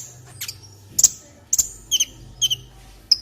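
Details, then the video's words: Olive-backed sunbird song played as a tutor recording for other birds: scattered, very high, thin chips and short sharp whistled notes, some doubled, separated by brief pauses over a faint low hum. "MASTERAN KOLIBRI NINJA JERNIH, MAKIN MATAP SETELAH NONTON VIDEO INI||| JADI SUARA SULTAN.."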